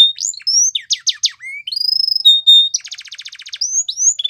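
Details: Training song of a Belgian canary for young birds, mixing steep falling chips, a long level whistle and a fast pulsed rattle, then bright upslurred notes.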